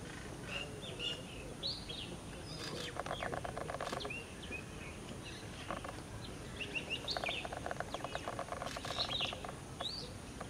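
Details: A spotted flycatcher, a rare visitor to Manipal in southern India, gives short, thin, high chirps scattered irregularly, with dry clicking bursts between them over a steady background hiss.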